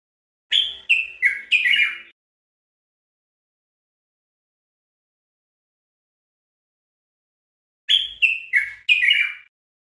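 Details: Common bulbul (Pycnonotus barbatus) of Morocco, on a tutoring recording: a short phrase of four or five rich, slurred, descending whistles, repeated after a long pause; nothing else is heard.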